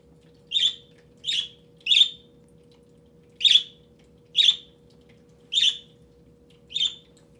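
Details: Pet budgerigar perched indoors, singing toward an inactive webcam: seven sharp, bright chirps spaced roughly every second, each a short high burst, over a steady low electrical hum.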